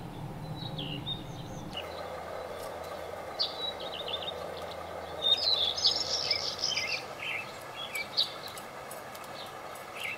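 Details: Playful birds bathing and eating: the background noise shifts early on, then lively high chirps and twitters build up and continue in irregular bursts through the rest of the stretch.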